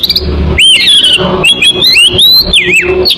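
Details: Oriental magpie-robin song played as a bird lure: loud sweeping whistles rising and falling, with a wavering slurred phrase near the end, over a steady low background rumble.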